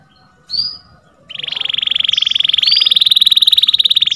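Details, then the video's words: Canary song used for training other birds: a short rising whistle, then a long rapid rolling trill with steady fast pulses, clear and loud throughout. "MASTERAN KENARI MACET BUNYI | CANARY SINGING"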